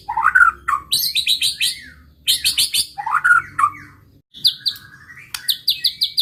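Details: White-rumped shama singing to provoke rivals, alternating rich warbled low phrases with quick runs of high sharp chips, then a long steady whistle and a final burst of repeated notes.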